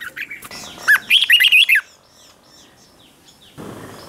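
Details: Red-whiskered bulbul in morning song training, in the chè style: a single rapid warbled phrase of about one second, bright slurred notes jumping up and down, then near silence with faint distant twitters and a brief rustle.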